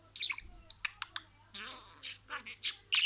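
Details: Budgerigar mimicking words: a few sharp clicks and ticks, then longer rasping, speech-like phrases that rise to bright high chirps at the end.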